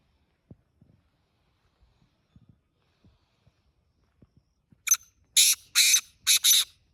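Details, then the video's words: A black francolin calling by a road gives four loud, harsh, grating bursts in quick succession, each under half a second, after several seconds of faint clicks and handling noise. "کالا تیتر ہاتھ میں آواز دے رہا ہے روڈ پر | Black Francolin Calling on Road"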